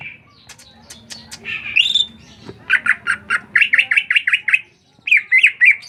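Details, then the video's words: Bird called ngriwik in Indonesian: a short buzzy opening, then a quick series of sharp repeated chirps, then a brief pause before a final trio of clear notes. "Cuman burung ngriwik"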